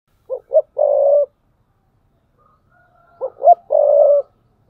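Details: Caged spotted dove decoy bird cooing in the thúc bổi style, 2022: two phrases about three seconds apart, each two short clipped notes then a long, steady, low cooing note, in an otherwise quiet background.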